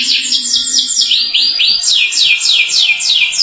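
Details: Atlantic canary in long 'gacor' singing meant to prompt other canaries to join in, delivering a steady series of high swooping notes, each sliding downward, repeated nearly twice a second.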